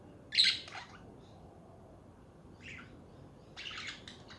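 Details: Chattering budgies: a loud scratchy squawk, a softer chirp near the middle, then a raspy warbling burst toward the end.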